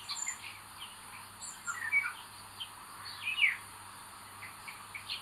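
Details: Aggressive eldest chick among common buzzard nestlings, 25 May 2022. Quiet high chirps and slurred squeaks come at an uneven pace, with two louder downward-sweeping calls, against a low, steady hum.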